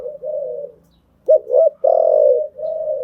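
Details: Spotted dove used as a decoy, cooing to train newly caught birds: soft low hooted coos in a phrase of broken notes and a longer drawn-out coo, with a pause mid-phrase.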